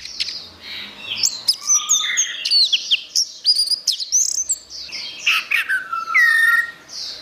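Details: Dense, varied gacor song of an orange-headed thrush for songbird masteran: fast sequences of bright whistles, sharp upslurs and downslurred notes, with a long falling whistle near the end and continuous high chatter beneath.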